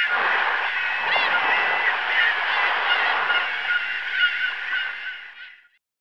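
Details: Gull cries mixed with wave noise; many quick wavering calls overlap over steady surf, then everything fades out near the end.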